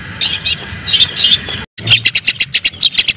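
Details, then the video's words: Long-tailed shrike, white-breasted 'daput' type, singing to provoke other shrikes. Soft warbled high notes over a low hum, a brief silence, then a quick series of about ten sharp, clipped chips. "Cendet Manapun Bakal GACOR dan emosi dengan kicau cendet daput ini"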